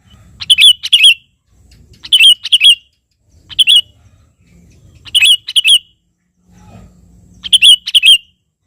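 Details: Sooty-headed bulbul (kutilang) singing lively to call a rival: bright, clear whistled notes, mostly in close pairs, delivered in short bursts roughly every one and a half seconds, with faint low rumbling between phrases.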